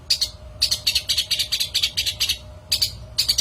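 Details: Long-tailed shrike sound used to lure other shrikes: rapid harsh chattering bursts, each about a tenth of a second, packed in quick runs with two brief gaps.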